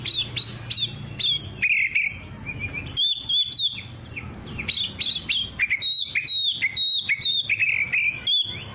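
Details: Young Oriental magpie-robin singing continuously, recording meant for training young birds: rich mix of high whistles, steep rising sweeps and long buzzy trilled notes, delivered in rapid bursts with short pauses, low background rumble.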